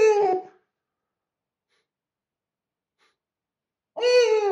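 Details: Indoor owl directing calls at a Rilakkuma plush toy: a short husky tonal call, several seconds of silence, then another similar harsh, steady-pitched call.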